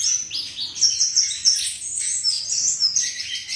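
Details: Melodious flycatcher song in a rapid stream of high chirps, trilled notes and sliding whistles, delivered without pause over a faint low background hum.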